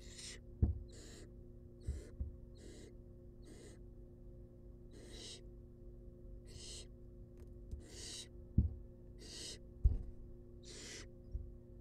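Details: Feeding-time begging from wild baby barn owls in a monitored nest box: a dozen short rasping hisses, some in rapid pairs, punctuated by loud clicks and thuds, low hum continuous.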